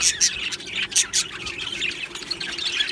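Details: Happy Australian budgies in an aviary colony giving quick high chirps and short whistled notes, a few louder sharp squeaks standing out over softer continuous twittering.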